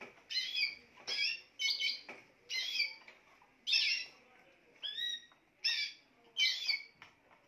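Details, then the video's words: Timbrado canary from Spain delivering a steady run of metallic, ringing phrases, some ending in clear downward-sliding whistles, repeated about twice a second. "chant des oiseaux timbrado espagnol"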